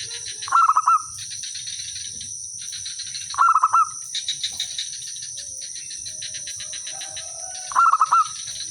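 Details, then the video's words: Local village zebra dove singing well as a decoy that sets other birds answering; three separate bursts of fast, tremulous cooing spaced about three to four seconds apart, against continuous high-pitched insect-like droning and scattered chirps. "suara merbok kampung/perkutut lokal gacor manggung jadi pikat pancingan semua jadi nyaut"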